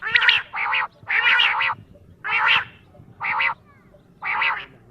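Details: A quail calls in the morning at dawn: harsh, nasal, rasping bursts, often in doubled phrases, about once a second, with a faint low hum beneath.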